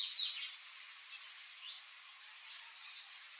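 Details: Palm tanager song phrase: a loud burst of sharp, squeaky, zigzagging high notes for just over a second, followed by near quiet with one faint distant note.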